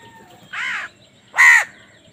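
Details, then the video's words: Hungry baby crow calling while being fed: two harsh, arched, nasal caws about a second apart, the second louder, over a quiet background. "Hungry baby crow feeding"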